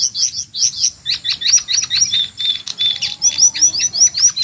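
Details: Jongkangan screech used as training material for white-rumped shamas: quick repeated downslurred high notes, about two or three a second, with occasional thin whistled strokes between them.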